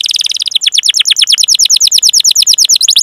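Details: A canary's long rolling song for training other canaries: a short buzzy trill leading into a steady series of sharp descending chirps, about eight per second.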